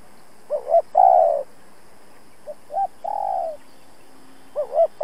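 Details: Spotted dove decoy bird calling to challenge and lure rival males for trapping: low cooing phrases, each a short double note followed by a long drawn-out coo, repeated about every two seconds, quiet background.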